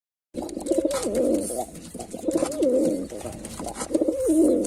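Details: Male white pigeon cooing while performing: low rolling coos with a wavering, bubbling tone, repeated in three phrases about every one and a half seconds, with faint clicks in a small room.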